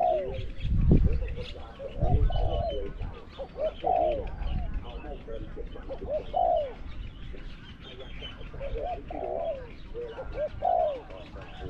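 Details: Decoy spotted dove competing with wild doves, small-to-medium voice; cooing phrases recurring about every two seconds, each a brief rise and fall, with thumps and murmured talking behind.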